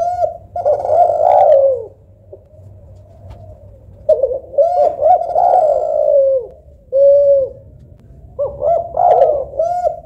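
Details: Cooing of a local spotted dove or Kelantan derkuku, judged for softness and melody: long warbling low coos with a trembling quality, separated by pauses, a clean short coo, then a rolling ending phrase; steady faint hum behind.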